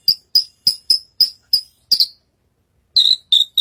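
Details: On stage and singing hard, a Horsfield's bush lark (branjangan) gives seven quick high chips and then pauses. It resumes with lower, fuller whistled notes.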